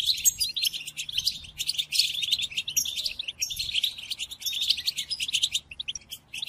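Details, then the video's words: Goldfinch song used to train captive European goldfinches: high, chattering twitter phrases repeated in quick succession, with short breaks between bursts. "قدم هذه الآصوات لطائرك الحسون وشاهد ماذا يفعل"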